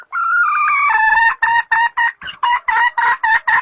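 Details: Junglefowl calls from Sumatra, used as a caller to lure birds for trapping or hunting from a hide: a drawn-out harmonic note opens, then short, loud, evenly spaced clucks follow at about four per second.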